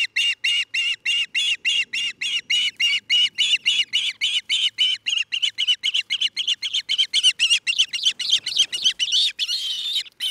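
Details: Osprey at a nest in Charlo, Montana, on a nest camera, 27 June 2018, one of a nesting pair: rapid, even train of sharp, high whistled chirps, about three to four per second, running nonstop for ten seconds, with a faint low hum beneath.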